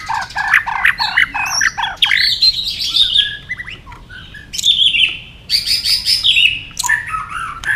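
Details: White-rumped shama singing against rivals: dense, varied whistled and chattering phrases, some high and scratchy, in loud bursts separated by brief gaps.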